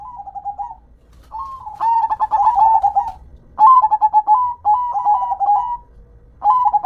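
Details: Zebra dove, or perkutut lokal, singing near-continuous cooing phrases. Soft level coos lead into loud, rapidly pulsed rolling runs, with overlapping phrases giving a dense, richer stretch in the middle, followed by further stuttered coos.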